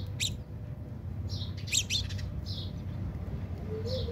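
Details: House sparrows quarrelling in a backyard, South Africa; a few loud harsh chirps and a brief cluster of rapid notes, separated by softer chirping, over a noticeable low rumble.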